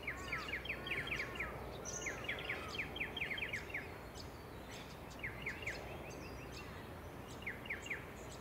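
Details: Striated pardalote filmed on the Sunshine Coast, Queensland, in June 2021: bursts of short, clipped mid-pitched notes delivered in rapid runs of four to six, pausing between runs, with fainter high chirps and low rumble behind.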